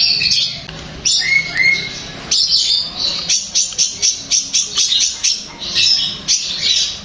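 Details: Long-tailed shrike song for stirring another shrike to respond and sing; a scratchy opening with a clear whistled note, then a quick series of sharp, evenly spaced chips nearly twice a second.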